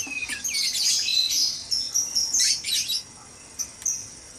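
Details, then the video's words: White-rumped shamas in a breeding cage at dawn, noisy: high thin whistles and chirps in quick bursts over the first three seconds, then two short sharp notes after a pause. "Suara murai batu berisik dikandang ternak saat subuh"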